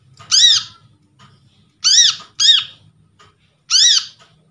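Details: Freshly trapped brown-throated sunbird used as a lure to prompt silent birds. Four sharp arched notes, a single, a quick pair, then another single, ringing and overtone-rich over a low background hum.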